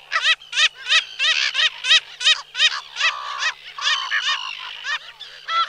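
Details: Several Slender-billed Gulls (Chroicocephalus genei) give harsh, nasal, rising calls in quick succession, about three per second, overlapping one another.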